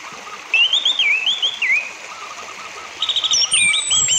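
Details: Orange-headed thrush singing, used to prompt other thrushes to sing: a run of fluid, wavering whistled phrases, a pause, then a sweet varied phrase ending in high thin whistles, over a steady hiss.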